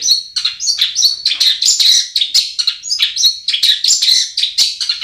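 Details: Long-tailed shrike song played to coax silent birds into singing: a dense, continuous jumble of sharp, high, scratchy notes and short whistles with little pause.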